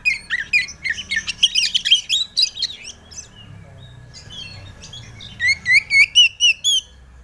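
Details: White-rumped shama song used as a lure to make a young bird sing: a varied jumble of rich whistles, then a quiet gap and a run of seven clear, rising whistled notes in quick, even succession.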